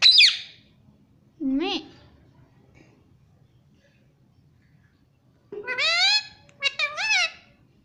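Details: Pet ringneck parrot from India talking, repeating the word for mummy. Several short, nasal, voice-like bursts with wavering pitch are separated by long quiet gaps, and a few of them come close together near the end.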